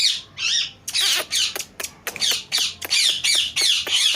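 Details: Rapid harsh squawks from a talking parrot, about ten rasping bursts in four seconds with brief gaps between them.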